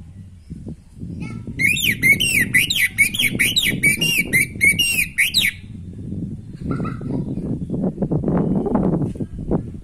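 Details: Orange-headed thrush in energetic natural song, meant to spark breeding drive in another bird: a four-second run of fast repeated, looping whistled notes over steady low background noise, then a single short note later.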